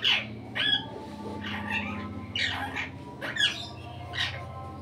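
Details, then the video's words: Indian ringneck parrot kept as a pet, out of its cage, giving harsh, raspy squawks in short bursts about once a second, with a steady low hum underneath. "Indian ringneck parrot melodious voice"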